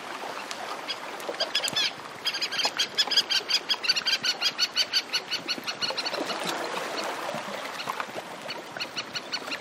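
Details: Antarctic terns, several birds calling in flight by the sea, waves lapping at the shore close by; a quick, regular run of rasping, chattering calls that builds, breaks off, then resumes in shorter bursts.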